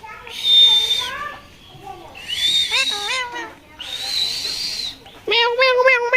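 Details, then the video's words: A talking tia parakeet repeats short, nasal, speech-like phrases such as 'mithu', with squeaky whistled overtones, then ends on a wavering, meow-like 'meow' imitation. "কথা বলা টিয়া পাখি"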